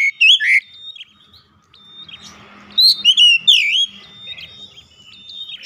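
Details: Oriental magpie-robin singing a lure intended to make other magpie-robins sing persistently; sharp whistled upsweeps and rolling slurred notes arrive in bursts, with thin sustained high tones and a soft background hum.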